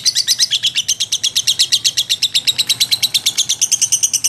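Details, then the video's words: Lovebird chattering in ngekek style, a continuous, piercing stream of quick, regularly spaced notes, high-pitched and steady throughout the four seconds. "SUARA BURUNG LOVEBIRD GACOR NGEKEK & TELER"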